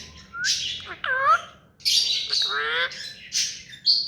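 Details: Hand-tamed rose-ringed parakeet mixing harsh squawks with tonal, wavering notes that rise and fall. About six loud bursts come unevenly over four seconds.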